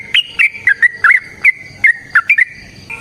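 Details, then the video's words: Fighting song of a yellow-vented bulbul, played as a prompt to make other bulbuls sing: separate liquid, slurred whistled notes, some rising and some dipping, spaced irregularly over three seconds against a quiet background. "Suara Trucukan GACOR Tarung Ropel Panjang Pancingan TRUCUKAN Agar Bunyi Jadikan Burung TRUCUK Gacor"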